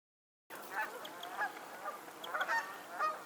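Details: Geese on a lake in Pennsylvania honking in a loose chorus of nasal, overlapping honks that start after a half-second of silence and continue, rising and falling in loudness, to the end.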